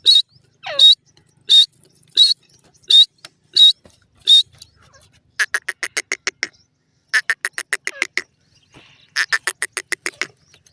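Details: Francolin giving clear, high whistled notes spaced under a second apart, then switching to fast bursts of rasping, buzzy pulses repeated in three tight groups, with silence between them.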